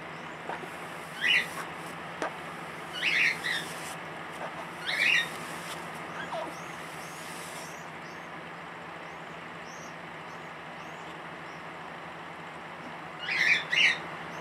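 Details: A hand-reared crow, too tame after release and rejected by other crows, gives short, high, squeaky calls like a guinea pig's squeals; its voice sounds very hoarse. It is in a rescue centre being trained for release.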